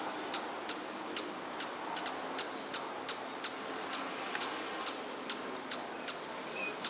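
A hummingbird gives sharp, high, dry chips, about two each second and evenly paced, over a steady soft hiss.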